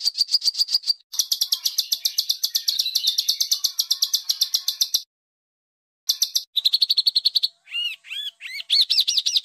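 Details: Coarse bird song meant to teach caged and competition songbirds: long fast buzzy trills of high repeated notes, a pause, another short trill, then slurred looping whistles and upswept chirps.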